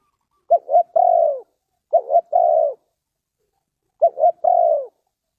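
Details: Spotted dove from Ninh Thuận, Vietnam, recorded for bird luring. Three low cooing phrases come at uneven intervals, each a quick double note and then a drawn-out, gently falling coo. No other sounds.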